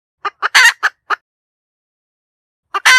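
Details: A hen chicken gives four clipped clucks around one long, harsh squawk. Over a second of silence follows, then a fresh cluck and a loud squawk at the end.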